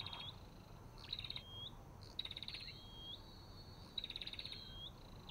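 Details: Olive-backed tailorbird giving repeated phrases of a short rising whistle joined to a buzzy, rattling trill. Four phrases come in quick succession over faint low background hum.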